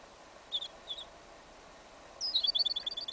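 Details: Yellow isabella goldfinch and canary hybrid singing outdoors in a field in winter, an incomplete song: two brief high chirps, then a fast run of bright twittering notes repeated several times per second, over steady background hiss.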